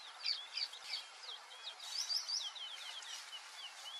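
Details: White-faced whistling ducks in a busy chorus, many overlapping thin whistles and short slurred notes repeated rapidly and irregularly, some in quick triplets, over constant hiss.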